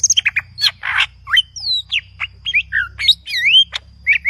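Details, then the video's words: Green leafbird singing aggressively in full voice with a rich mix of imitations: fast, varied whistles, sweeping upslurs and downslurs, buzzy notes and squawky bursts, sung almost without pause under a faint low hum. "CUCAK IJO GACOR AGRESIF FULL ISIAN"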